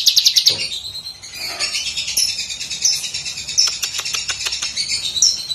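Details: Lesser green leafbird master song for training songbirds: opening rapid high trill, then a continuous jumble of high chattering, whistles and clicks.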